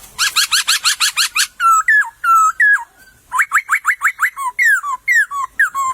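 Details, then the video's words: White-crested laughingthrush singing in the wild in a bamboo thicket: a fast run of harsh, stacked chattering notes, then loud whistled phrases that slide down, followed by a quick series of rising whistled notes. "Burung POKSAY berkicau di semak bambu"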